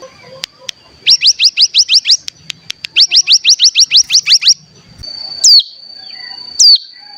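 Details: Mountain tailorbird (cigun) lure song used to stimulate caged birds to sing, with a 'bren' trill: two bursts of about ten rapid, rising, upswept notes each, then two long sliding whistles.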